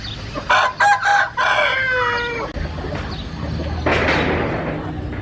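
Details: Chicken crowing: a loud harmonic call of several short opening bursts, then a long drawn-out note that slides gently downward, followed by a harsh noisy burst near the end over a steady low hum.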